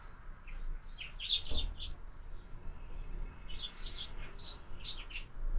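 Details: Several sparrows at feeders mounted on a window, where birds are fed year-round; bursts of short, bright chirps and tweets come in two clusters, over a low rumbling background hum.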